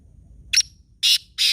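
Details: Close, loud black francolin call from Khushab: three harsh, raspy notes, the first short and the last two broad and buzzy, against a faint low rumble.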